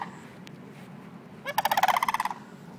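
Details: In early September at Longleaf in Trinity, Florida, a sandhill crane utters one brief, vibrating, rolling rattle that rises slightly in pitch, after a quiet stretch of low background hum.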